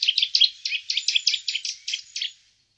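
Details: Eurasian nuthatch in the Wittlicher Tal, 2018, giving a rapid chattering run of about twelve harsh, clipped notes, delivered evenly and fading toward the end.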